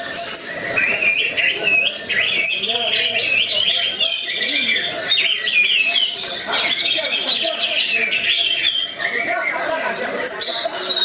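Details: Champion orange-headed thrush in full 'gacor teler' song: about eleven seconds of nonstop rich whistles, trills and slurred notes in rapid changing phrases, with faint voices possibly underneath.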